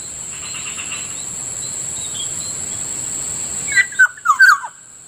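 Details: In the morning by a rice field in Bicol, a black-naped oriole (Kilyawan) gives a short burst of clear fluty whistles near the end, after steady insect buzzing and faint distant chirps.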